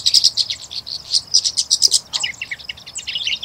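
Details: Singing Bush Lark (Horsfield's bushlark, Mirafra javanica) at Sabya, Jazan region, Saudi Arabia, delivers a rapid high-pitched run of chirping, tinkling notes that shifts into jumbled varied phrases midway, with no other clear sounds.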